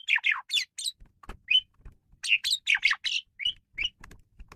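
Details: Varied song of a male Asian pied starling, played to lure and train birds: harsh squawky bursts alternating with short whistled notes, clustered in two busy phrases with brief pauses and a few low knocks.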